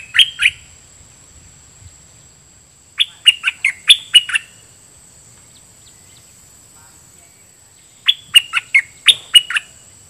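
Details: Red-whiskered bulbul used as a decoy, singing at wild birds in a doubled song pattern: three bursts of lively, warbled phrases of four to six quick whistled notes, separated by pauses of several seconds.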